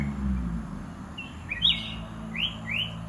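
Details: Several short, clear whistled notes from caged red-whiskered bulbuls, 'dok taeng' and 'ta daeng' birds together, including two quick rising whistles near the end, against a noticeable low hum.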